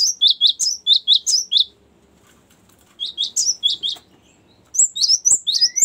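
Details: Long rolling song of a Cinereous tit, played to lure the species and to train songbirds. Quick bursts of sharp, very high chirps are repeated in three runs, separated by short silences.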